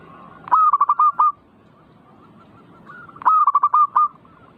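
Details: Zebra dove song for provoking singing: two loud phrases about three seconds apart. Each is a burst of rapid clipped coos ending in a longer coo, with faint background cooing between.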